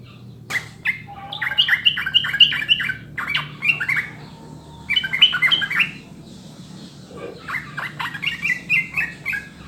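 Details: Sooty-headed bulbul used as a master recording to lure kept birds into singing: fast runs of chattering, squeaky whistled notes in rapid bursts, one long thin steady note in the middle, then more lively bubbling phrases, with a steady low hum behind.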